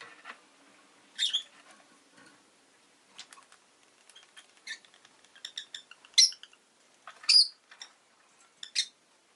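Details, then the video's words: Harsh, high chirps from a pet rosy-faced lovebird, spaced irregularly about once a second, mixed with shorter squeaky chips and small clicking sounds. "Lovebird Chirping Sounds"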